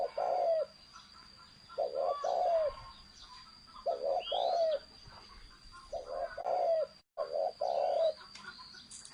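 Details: Spotted dove giving repeated thổ sấm coo phrases, paired low mellow notes with a falling end, about every two seconds. A steady high whine plays throughout, with an occasional rising chirp from another bird.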